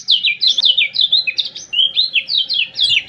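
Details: Lombok common iora in full song, recorded as tutor audio for caged birds: a quick, tumbling sequence of whistled, slurred notes, some rising, some dropping, delivered without break over a quiet low hum.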